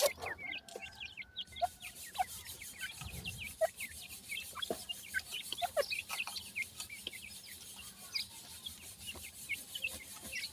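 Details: Many partridge chicks peep continuously, a dense overlapping chorus of short high chirps, some rising and some falling, over a faint low hum.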